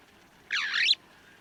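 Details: White-crowned starling, a bird commonly found near houses: a single harsh, broad, buzzy call lasting about half a second, loud against a quiet background.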